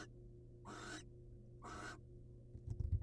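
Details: Barn owl pair in the wild, male presenting caught prey to the female: two drawn-out harsh hissing screeches about a second apart, then faint scuffling and knocking, over a low steady hum.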